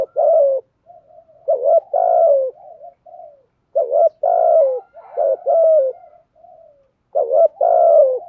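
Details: Decoy spotted dove calling to attract wild doves, a steady series of low hooting coos in grouped phrases, each ending in a drawn, falling note, with softer quiet notes between phrases.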